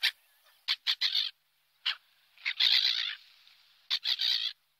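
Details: Seagulls uttering rapid harsh squawks in clusters, some drawn into longer noisy cries, with short pauses between bursts.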